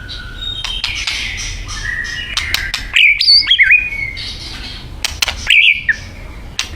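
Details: White-rumped shama from Thailand singing: two loud, sharply modulated whistled phrases near the middle and end, set against a steady background hiss and faint scattered chirps.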